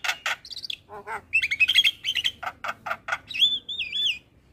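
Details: Black-winged starling training song: harsh rasping notes give way to warbled whistles and a final wavering, looping whistle, all in a rapid varied phrase.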